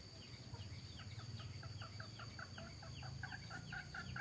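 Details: Mixed-breed junglefowl, adult males and females, at Tha Som, Nam Som, Udon Thani: a quick series of soft clucking notes that grows steadily louder toward the end, over a constant insect hum and low rumble.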